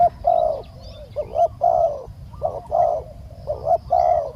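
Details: Decoy spotted dove cooing to lure a wild dove: four rhythmic phrases of a quick double note then a longer rounded coo, clear and close, over a soft low hum.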